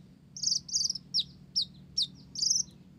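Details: Olive-backed sunbird pouring out Java sparrow-style phrases: rapid buzzy high trills alternating with quick downslurred notes, almost continuous over a low background hum.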